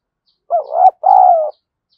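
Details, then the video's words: Spotted dove decoy bird cooing to provoke a fight: two loud, hoarse coo phrases in quick succession, the second longer and slightly falling, with faint high ticking in the background. "Chim Cu Mồi Thúc Đấu , cu gay kich boi nhanh noi gù/cu gáy thúc đấu"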